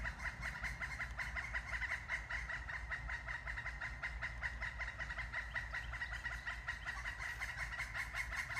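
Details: Two large red-headed woodpeckers call back and forth to each other around a tree they keep flying up, in a fast, continuous chattering of harsh, mid-pitched notes, steady throughout, over a low background rumble.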